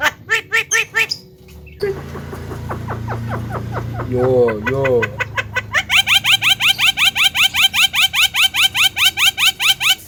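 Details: Javan myna lure sound meant to make other mynas agitated: spliced bursts of clipped nasal notes, a run of rising squeaky chirps, then a long steady train of rapid clicking notes, about three per second.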